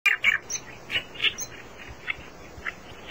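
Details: Reed warbler, a bird of reed beds along rivers and lakes, giving harsh, grating chattering notes in irregular bursts about every half second, over a low rumbling background.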